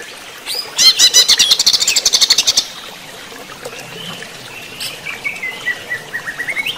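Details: A greater green leafbird (cucak ijo), heard during running-water therapy, delivers a fast, loud run of high chattering notes, then softer, drawn-out slurred whistles and scattered faint chips.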